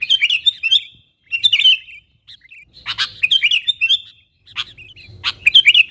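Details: Sooty-headed bulbul calling out to wild birds of its kind as a lure; quick bubbly phrases of warbling chirps come in four groups separated by short silences, with crisp clicks mixed in.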